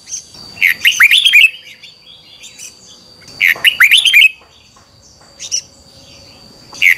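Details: A red-whiskered bulbul in morning training song from 2021, with a double, tightly twisting voice used as a lure or training song, sings two bursts of rich, liquid, bubbling whistled phrases, then a few shorter notes over a thin steady high whine.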